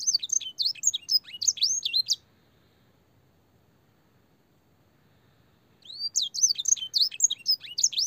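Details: Canary singing a master song filled with blackthroat and sanger phrases for young canaries: two bursts of fast, high twittering notes separated by nearly four seconds of silence.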